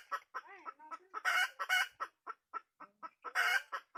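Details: Wild red junglefowl hen calling with uneven clucks. Early slurred, wavering notes give way to harsh, raspy squawks and then sharper single clucks spaced irregularly.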